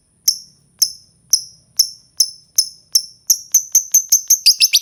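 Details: Lovebird calling with sharp, high chirps repeated about twice a second, then quickening into a rapid run of short notes toward the end; no other sounds.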